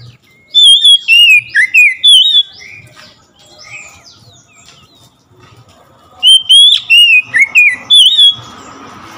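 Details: Oriental magpie-robin singing after hearing another magpie-robin: two loud bursts of clear whistled, slurred notes around mid-high pitch, each lasting about two seconds, separated by a quiet gap with faint background chatter.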